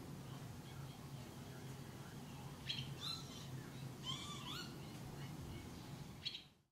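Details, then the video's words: Barn Swallow (Hirundo rustica rustica) at Uitkerkse Polder, Belgium, in June 2016, giving a few short, bright twittering chirps in brief bursts over a steady low background hum. "Hirondelle rustique (Hirundo r. rustica) Barn Swallow"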